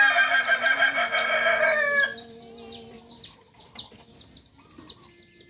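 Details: Kukuak Balenggek rooster, a singing chicken native to Solok, bred at a farm in Solok city, West Sumatra: a loud harmonic crow for two seconds, then fades into chirping of small birds and a steady low hum.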